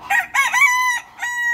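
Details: Bantam rooster crowing in the morning, loud and close: choppy opening notes lead into a long, steady, strongly harmonic held tone, a brief dip, then a second sustained crowing phrase.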